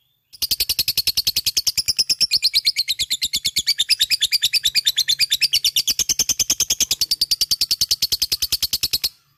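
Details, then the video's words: Lovebird kept as a fighter, giving a full ngekek: a continuous rattling series of shrill, evenly spaced notes that starts suddenly and runs for about nine seconds without pause. "LOVE BIRD FIGHTER full ngekek GACORR"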